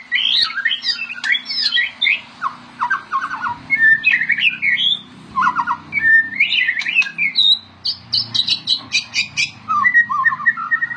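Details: Gacor white-rumped shama, a kept songbird, pours out a varied song of whistled notes, rapid trills and harsh squawky phrases in quick bursts, with short pauses between phrases and a faint low hum behind.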